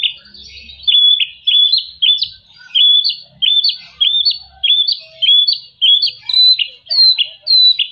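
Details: Energetic white-rumped shama song for encouraging quiet shamas to sing: steady, loud whistled phrases, each a sharp slurred note with a bright flourish, repeated almost twice a second.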